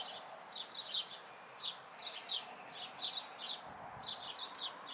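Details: Chirping house sparrow fledglings recorded locally in May 2020: short bright notes in pairs and clusters roughly every half second, with a faint low thump near the middle.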